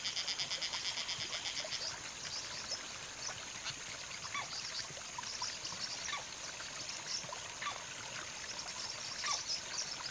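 Blue-winged parrotlets give a steady stream of thin, high, buzzy chips and twittering notes, several calls every second, with a trickling, rushing background.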